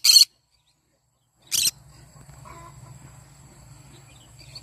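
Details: Yellow-sided conure calling in the morning: two harsh, high, broadband screeches about a second and a half apart, then a low hum and faint background sounds.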